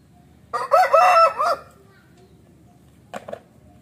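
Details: Bangkok rooster with an injured leg, kept to court hens, giving one hoarse harmonic crow of about one second with wavering pitch, then two brief clucks; low background rumble.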